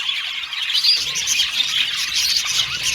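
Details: Australian budgies chirping happily in a flock: dense high twittering and warbling, with a thin whistled note at the start and the chatter thickening after the first second.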